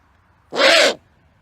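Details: Loud, raspy half-second screech of a great horned owl, rough and noisy in texture, standing out against a faint steady hum.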